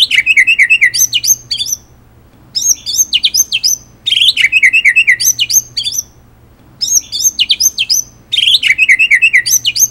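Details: White-rumped shama in complete training song of rolling and sharp phrases: dense bursts of rapid chattering and repeated whistled trills, each about two seconds long with short pauses between them, repeated four times.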